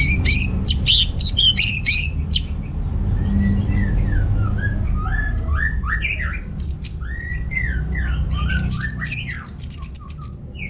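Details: Orange-headed thrush song used as a lure for males low in breeding drive: an opening burst of sharp high notes, then a string of lower, softer slurred whistles and a faint high twitter, over steady background hum.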